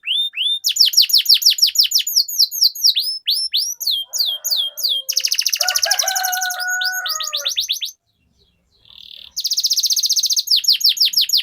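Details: Canary rolling song used as a lure: quick falling whistles and fast trills, a pair of lower sustained whistled tones in the middle, a short pause, then a bright rapid trill.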